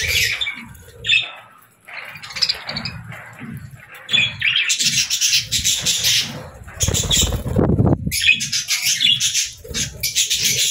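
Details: Several pet budgerigars playing in the evening chatter in quick, scratchy chirps and warbles, with harsh squawks and bursts of wing flapping.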